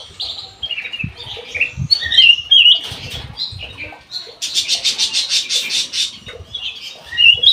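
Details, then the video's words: Aviary Black-naped oriole giving high slurred, chattering song phrases, broken midway by a loud, evenly pulsed burst of wingbeats before singing resumes. "KUTILANG EMAS GACOR"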